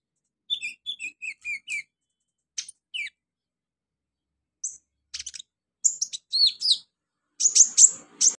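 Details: Olive-backed sunbird (konin) chirping in a quiet setting as singing therapy. Crisp high notes come first in a quick repeated run, then scattered squeaky phrases, and finally a dense burst of sharp chirps.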